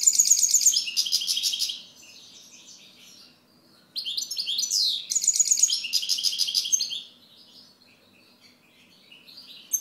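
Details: Singing European goldfinch: two long phrases of fast, jangling high twitters mixed with buzzy and whistled notes, each about three seconds, with brief quiet gaps and soft call notes between.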